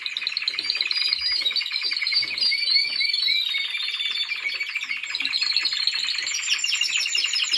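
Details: Timbrado Español canary in training, recorded in 2023, singing a continuous rapid song of rolling, repeated notes, with dense trills and overlapping higher whistled strands running without pause throughout.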